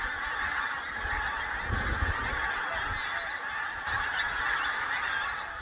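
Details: About four hundred Pink-footed Geese leaving their roost together on a Scottish nature reserve; a dense, continuous wall of overlapping honks and yelps from the large flock, steady throughout with a faint low rumble beneath.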